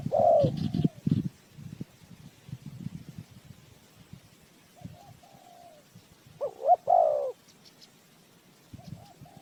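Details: Spotted dove kept as a trapping lure. A strong coo opens the clip over dull low rumbling and thuds. After quiet soft notes, a second loud, full coo phrase follows.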